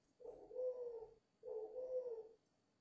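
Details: Two warm, low-pitched coos of about a second each, swelling then fading, from a dove five months old cooing with vigour.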